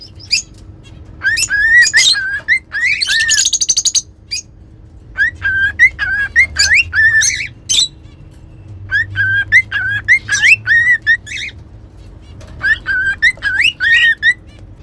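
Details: Singing cockatiels kept as pets, whistling practice for teaching; phrases of bent, tonal whistles in several bursts over about fifteen seconds, one harsher squawk-like burst early on, pauses between phrases.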